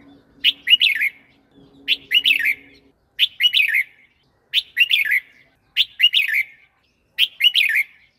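A red-whiskered bulbul gives six bright, bubbly phrases of three or four quick warbled notes, about one every second and a half, with a faint low hum early on.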